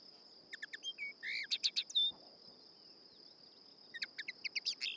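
Common Linnet giving quick bursts of varied twittering notes, some soft and some harder, in two hurried phrases; a steady high insect-like hiss runs underneath.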